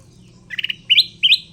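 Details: Wild-caught, captive Sooty-headed bulbul, tamed and kept as a lure bird, gives a loud burst of bright chirps: a quick trill of three notes, then two rising, ringing notes.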